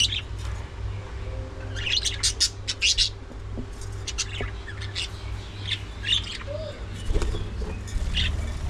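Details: Budgerigars calling at morning feeding: irregular bursts of high chirps and scratchy warbles from several birds, including a brief whistled note, over a low steady hum.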